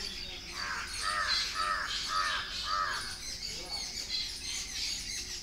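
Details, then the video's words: Indian Grey Hornbill squealing while wagging its tail as a second hornbill joins it, with a koel calling in the background; about five short arched squealing notes roughly every half second, then softer chirps from other birds. "Grey Hornbill"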